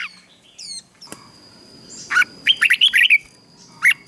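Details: Red-whiskered bulbul in morning song training to spur wild-caught birds into fighting song; a short burst of bright warbled notes, then a lone phrase near the end, with faint chirps and low background hiss.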